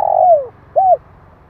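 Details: Spotted dove call meant to excite decoy birds and train young birds: a long coo falling away in pitch, then a short arched coo, over faint low background hum.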